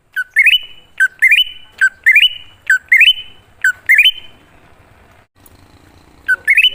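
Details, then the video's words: Wild greater green leafbird song serving as a lure for other leafbirds: a regular run of six stepped, upward-climbing whistled phrases ending in a sustained note, then a quiet gap with faint rustling before the pattern returns. "Pancingan Burung Cucak Ijo Ngalas Di Jamin Langsung Nyaut"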